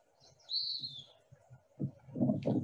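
A wood-pewee gives one high, slightly burry whistle that slurs downward over about half a second, followed by low murmuring voices and handling noise.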